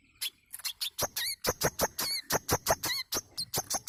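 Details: Manggar bird lure song: quick, fairly even series of crisp clicks and short buzzy notes, several carrying a warbling, wavering whistle on top, continuing without pause.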